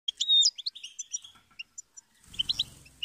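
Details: Goldfinch singing: a bright, liquid twitter of quick chirps and one drawn-out whistled note early on, mostly high-pitched, ending with a short burst of low rumbling noise beneath the chirps.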